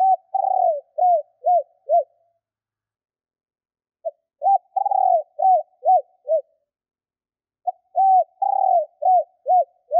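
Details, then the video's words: Calling female spotted dove used to lure males, giving three similar phrases about every four seconds, each a soft short note, a longer slurred coo and three clipped arched notes; clean, quiet background. "Chim cu gáy mái kích bổi/Cu gáy mái / Tiếng cu gáy mái"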